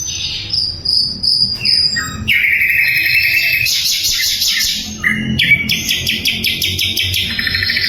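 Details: Sikatan londo flycatcher singing brightly, recorded to train murai and other songbirds: high whistles, then a long steady buzzy trill, then fast repeated high chips, roughly two or three per second.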